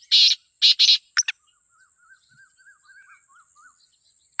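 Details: Wild black francolin (kala teetar) from Pakistan giving its call: three harsh, grating notes, a pair of sharp clicks, then a series of soft, rising-and-falling chirps from smaller birds over a thin high whine.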